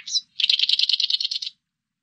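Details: Oriental reed warbler recorded in 2020: one harsh note, then a rapid, even rattle of about a dozen grating notes lasting just over a second, followed by silence.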